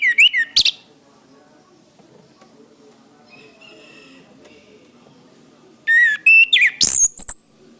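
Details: Orange-headed thrush song on a training recording for cage birds. A loud burst of whistles opens the clip, followed by a long quiet pause. A second lively series of rising whistles and sharp chips follows.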